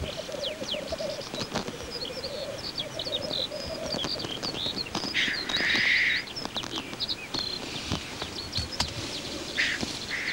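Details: Displaying black grouse male on the lek, steady bubbling rookoo phrases in the first half, then rushing hissed sneezes near the sixth and tenth seconds, with other birds chirping and clicks throughout.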